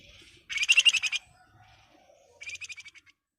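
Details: Flamboyan bird in breeding condition, calling to a rival with a loud burst of rapid, rasping notes, then after a pause a softer, shorter rattle of quick notes.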